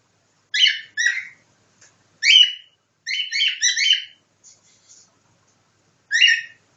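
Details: Cockatiel imitating nightingale song: loud harmonic chirped notes in pairs and small clusters, with a few faint soft notes between them.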